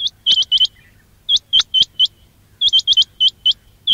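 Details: Loud quail calling for trapping: crisp, high upslurred notes in rapid groups of two to four, repeating steadily for four seconds with short pauses between groups.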